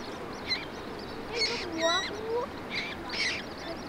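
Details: Common moorhen (Gallinula chloropus) mother feeding her fluffy chicks in Germany, giving short, nasal, bending calls mixed with thin, high peeps in quick irregular bursts over a soft steady hiss.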